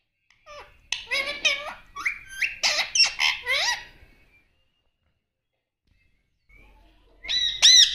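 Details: Talking pet parrot indoors producing a rapid run of harsh, chattering speech-like syllables for about three seconds, then quiet and a loud high screech at the end.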